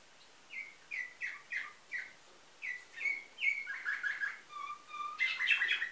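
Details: Nightingale-style canary song, recorded in 2013 at a Varna, Bulgaria breeder: evenly spaced, sliding whistled notes, then a rapid rattling roll, a few low flat tones, and a loud dense burst at the end.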